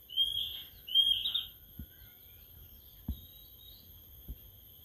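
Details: Newly kept Sulingan laut (Tledekan laut), three days in care and starting to sing: two short, thin, high whistled phrases in the first second and a half, then quiet with a few faint low knocks.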